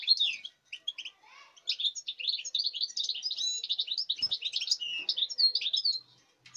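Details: European goldfinch from this season's latest breeding, recorded 5 August 2019, singing a dense, fast twittering song of tinkling, buzzy high notes that runs almost continuously for about five seconds after a few short opening phrases.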